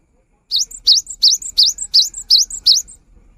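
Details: Cinereous tit song for prompting quiet birds to sing: seven loud, evenly repeated phrases, each a high upslurred whistle followed by a brief thin higher note, with a faint low hum.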